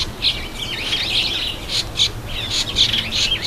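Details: Bathing red-headed finch, also known as red-headed amadina; rapid run of high, squeaky twittering chirps with splashes and wing flicks throughout.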